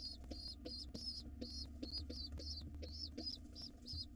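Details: Wild pigeon nestlings begging as they are fed in a nest box before nightfall, giving a rapid run of about eleven shrill, slightly wavering squeaks with a constant low background hum.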